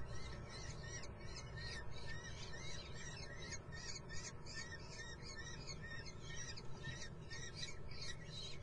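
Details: Nestling common kestrels at Muttenz give rapid, overlapping high squeals in quick bursts, a busy chorus above constant low-pitched background rumble.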